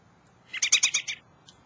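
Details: A robin on a birdbath sings one quick phrase of about six bright, high, tumbling notes in under a second, then a faint lone note, in a quiet background.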